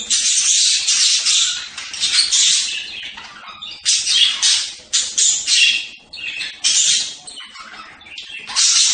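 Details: Budgerigar giving loud, continuous scratchy warbling chatter in bursts of about one second, separated by brief gaps, with high buzzy and squeaky notes throughout.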